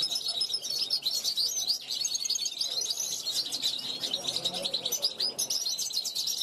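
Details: Goldfinch hatched in 2021 answering wild goldfinches that pass a balcony, with a lively, nonstop chatter of high, clear, liquid notes and quick trills.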